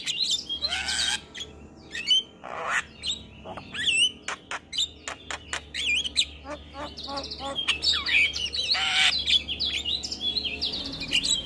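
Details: Morning tutor song of a male Javan myna, full of fill-in phrases: harsh rasping bursts, wavering whistles, fast clicking runs and dense squeaky chatter in a long, varied sequence.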